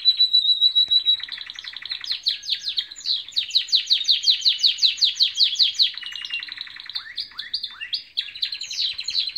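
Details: Loud morning song of canaries: a steady high whistle breaks into rapid rhythmic trills of slurred notes, followed by varied rising whistles and quick chattering phrases, with no other sounds.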